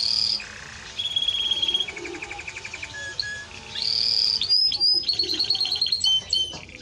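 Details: Timbrado Español canary song of varied segments: a high steady whistle, a lower drawn-out tone, fast pulsed rolls, then sharp high piping notes and quick trills.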